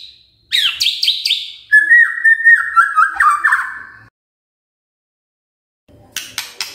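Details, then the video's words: Magpie-robin lure song: a few high sharp chirps, then a string of level whistled notes with slight steps and wobbles, a long pause, and closing rapid scratchy high bursts. "Pancingan Murai Gacor"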